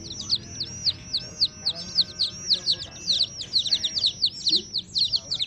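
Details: Hen's baby chicks cheeping in a busy overlapping chorus, high arched peeps sliding downward, several per second and becoming denser toward the end, with a faint low hum.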